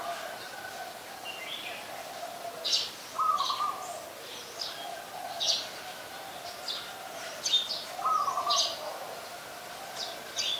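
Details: Streak-eared Bulbul in Ubon Ratchathani, Thailand, 2 January 2021, a very common resident: clusters of sharp, scratchy high chirps roughly every couple of seconds, mixed with a repeated lower whistled phrase and a faint constant drone.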